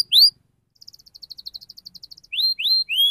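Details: A canary's sharp song for prompting juvenile canaries to sing: a loud rising whistle, then a quick ticking trill of about twenty soft notes, ending with three clear upswept whistles.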